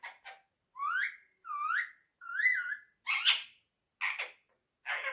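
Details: Friendly pet quaker parrot chattering indoors, with rising, slurred word-like syllables repeated at a steady pace, then harsher buzzy bursts toward the end.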